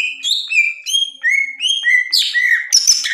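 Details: Cucak ijo, or green leafbird, delivering loud ngerplong gacor song. A continuous run of clear whistled notes steps between higher and lower pitches, then turns into harsher, buzzy, scratchy phrases toward the end.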